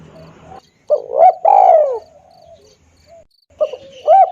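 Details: Spotted dove lure call used for bird trapping: low, mellow cooing with a long, hoarse, downward-bending coo followed by short arched notes after a pause, over faint insect ticking.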